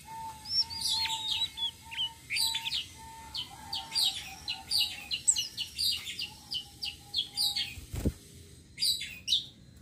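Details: Bait-bird flowerpecker of the tledekan sitrun selendang biru type, rolling song ('ngeroll'); clusters of high sharp chips and twitters, a lower steady piping note repeating behind them, one loud thump near the end.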